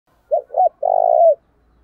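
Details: Decoy spotted dove calling energetically to provoke fights, its voice ringing across the area: two short rounded coos, then one long, vibrating, slightly falling coo, all low and mellow.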